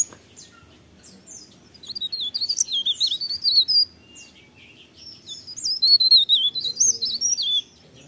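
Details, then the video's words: Mountain leaf warbler singing in the morning: two bursts of rapid, high twittering with fast up-and-down whistled notes, the first around two to four seconds, the second louder from five to eight seconds, over a quiet background. "cikrak daun, pare pare, blerengan gacor pagi hari merdunya"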